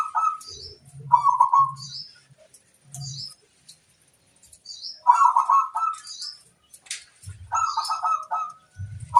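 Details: Local zebra dove song used as a master recording to lure wild birds: rolling, trilled mid-pitched coo phrases about two seconds apart, with high chirps from other birds and deeper cooing from another dove in the background.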